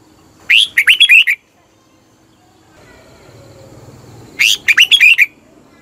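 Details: Red-whiskered bulbul singing, meant to stir caged birds: two brisk phrases of bright, warbled whistles, each about a second long, separated by a gap with a low hum.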